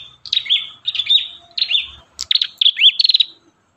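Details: An Ashy tailorbird in a recording for training songbirds: a rapid, almost unbroken string of high chirps and rising hooked whistles, ending in a quick trill-like stutter of short notes.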